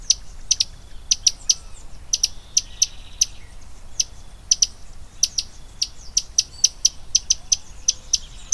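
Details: Sharp, high-pitched ticking from a common tody-flycatcher, single clicks and quick doublets scattered unevenly with short pauses between bursts, against a soft, low rumbling background.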